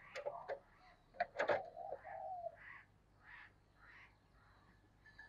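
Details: Spotted dove kept as a decoy to lure wild doves, voice style giọng thổ sấm; sharp knocking clicks at the start, then one drawn-out low coo, followed by faint softer notes.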